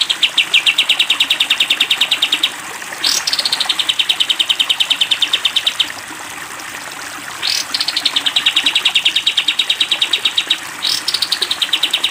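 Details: Sooty-headed bulbul, long 'tembak' style for training cage birds: repeated bursts of fast, high, machine-gun-like notes, each new burst introduced by a brief rising sweep, with soft background hiss.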